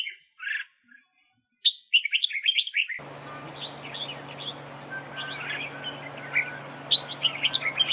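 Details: Red-whiskered bulbul decoy in a trap duel: loud clear whistles and a rapid warbled burst at the start, then softer scattered warbling phrases over a low hum.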